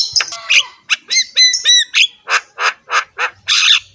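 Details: Javan myna singing roughly, a master recording for encouraging other mynas: a few whistled slides followed by about ten harsh squawking notes repeated roughly every third of a second.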